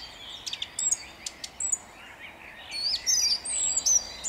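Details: Song thrush at dawn in Jabłonna, 29 April 2021, delivering short, varied high whistles and sharp chips, some slurred downward, spaced irregularly against a soft background hiss.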